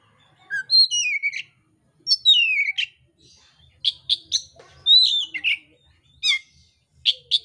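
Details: Oriental magpie-robin of the mintal type in fighting song, unloading coarse filler phrases: loud, high whistled slurs sliding downward, given in bursts about every second and a half with sharp clipped notes between, clean background.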